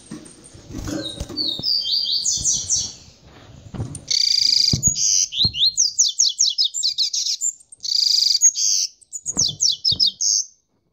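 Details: Captive double-collared seedeater of tamborete song style, recorded after mating with a female: a few seconds of high twitter over low handling noise, then loud, crisp, rapidly repeated sharp notes in clipped bursts with brief gaps.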